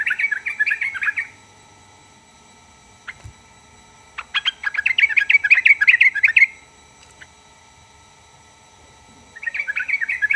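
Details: Sooty-headed bulbul song, played to draw replies from other bulbuls: rapid chattering bursts of bright warbled notes separated by long silent gaps, with a few isolated clicks between phrases.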